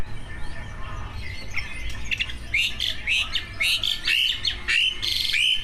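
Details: Two caged competition greater green leafbirds in a full song track packed with mimicked filler phrases, meant to prompt other leafbirds to sing: sharp rising whistles and buzzy squeaky notes in quick bursts over a low steady hum.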